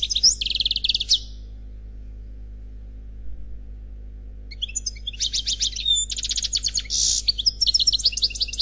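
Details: Unpaired male European goldfinch singing in the Khalwi style: bursts of fast, high, tinkling trills and buzzy twitters, a silent gap of several seconds, then a longer run of rapid chattering phrases over a faint low hum.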